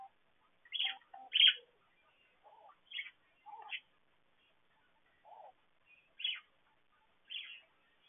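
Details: Caged parakeets chattering in an aviary; scattered sharp, high chirps alternate with softer, lower warbled notes, spaced about a second apart in a quiet setting.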